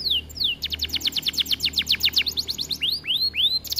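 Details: Canary song meant to trigger other canaries to sing: a couple of falling whistles, then a quick even trill of steep slurred notes, followed by slower arched whistles and another burst of rapid notes.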